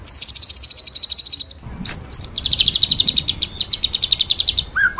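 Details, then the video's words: White-rumped shama, called murai batu, in full ngerol nembak masteran song: a fast high rattle, a sharp break, then a long run of quick high pulsed notes ending with a short whistle. "MASTERAN MURAI BATU FULL NGEROL NEMBAK SUPER EDAN!!"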